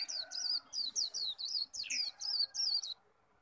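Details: Japanese white-eye in an intense singing contest, khuyên líu song: a quick string of shrill, high downslurred whistles, about three per second, with one lower slurred note midway, ending abruptly in near silence.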